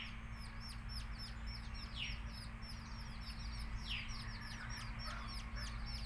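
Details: A crowd of chicks chirps continuously in high, hooked peeps, a couple of louder falling calls at two and four seconds, a constant low hum beneath.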